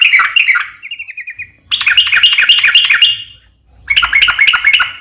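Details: Yellow-vented bulbul song with a long warbling run, used as a lure to make other bulbuls answer; loud bubbly phrases of rapid chirping notes, a short trill near one second, then long chattering bursts with brief pauses between.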